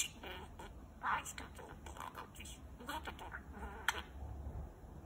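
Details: A male budgerigar mutters softly to himself while falling asleep, a quiet run of scratchy, speech-like chatter and small chirps.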